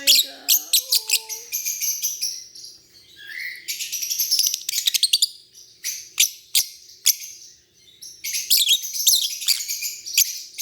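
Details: Lovebirds chirping: dense bursts of sharp, high chirps and short buzzy notes in quick clusters, with brief pauses and a few lower rising squeaks near the start.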